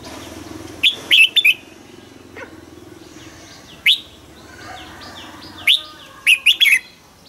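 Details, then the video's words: Morning song of a caged red-whiskered bulbul kept as a decoy to make rivals sing, double-note wild style: clipped, sweet warbling phrases in spaced bursts, single notes between, soft hum and faint chirps behind. "Chiến binh chào mào mồi hót sáng, ép chào mào hót âm kép già rừng cực hay"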